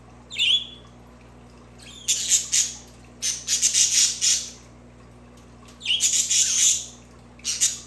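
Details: Budgerigar mixing a clear chirp with loud bursts of raspy, broadband squawking and scratchy chatter in clusters, some rapid and stuttering, separated by short quiet gaps.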